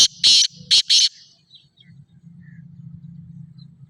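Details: Black francolin, Sindhi black partridge (kala teetar), calling: three loud harsh grating notes in quick succession, the last doubled, then a soft low hum for the rest.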